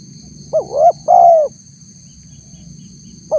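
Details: Spotted dove cooing used as a lure for wild doves: two quick upswept notes followed by a drawn-out, gently falling coo, with the next phrase starting at the end, over a constant high whine.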